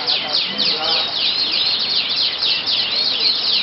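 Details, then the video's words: Yellow canary in a bird singing contest, Yogyakarta, Indonesia: rapid chains of high descending swoops and trills, loud and continuous, with low crowd noise underneath. "Aksi Burung : Kenari Killer Debutan baru"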